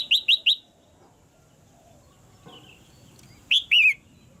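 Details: Caged female red-whiskered bulbul, calling to make the male sing more strongly: three quick sharp whistled notes, a quiet pause with a soft warble, then a loud slurred two-part phrase with wavering ends.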